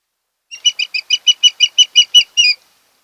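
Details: Osprey (Pandion haliaetus) at a nest on Kent Island, Maryland, early morning 26 August 2018, home of a mated pair: a quick run of about a dozen sharp, high whistled chirps, roughly five a second, ending on a longer note.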